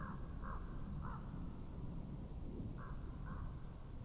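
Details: Raven calling at a webcam in Estonia, 2017: three clipped croaks in a quick run, then two more after a pause, muffled under a dominant low roar of wind.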